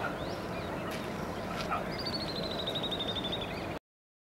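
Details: A Common Babbler in Bharatpur National Park, north India, gives a quick series of thin, high notes that slowly fall in pitch over a steady rushing background noise.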